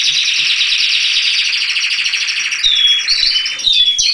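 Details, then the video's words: Canary singing a long, continuous rolling trill, fast and even, for about two and a half seconds, then switching to thin, clear whistled notes and short sweeps near the end. "Canary - Song - Singing"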